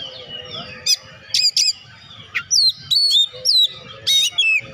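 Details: Energetic Oriental magpie-robin singing, used to prompt quiet birds of its kind to sing; varied whistled notes, clear descending slurs and sharp metallic chips in short bursts about a second apart over a soft background hum.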